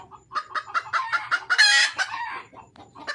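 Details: Wild red junglefowl hen calling to attract a male, rising from quick rhythmic clucks into a loud raspy squawk, then fading into scattered softer clucks.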